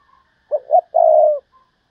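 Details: Single cooing phrase from a decoy spotted dove luring wild birds in thúc bổi style: two brief notes, then one long, even coo.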